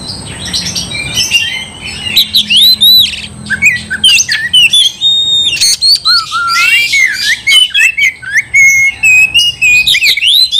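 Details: Kacer, the oriental magpie-robin, singing to goad a rival into a fight: rapid mix of sweet rising whistles, upslurs and scratchy squawks, quieter opening then dense loud phrases with short pauses.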